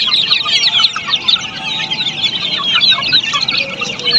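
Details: Australorp chicks at a poultry farm, a dense chorus of many overlapping high, thin peeps with short rising and falling chirps that run without pause, plus a faint steady hum underneath.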